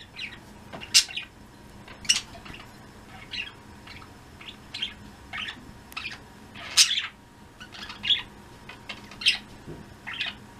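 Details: Flock of pet budgerigars chirping in the afternoon, recorded 02.03.16: short, bright chirps and brief trills from several birds, overlapping now and then and spaced about a second apart, over a faint steady hum.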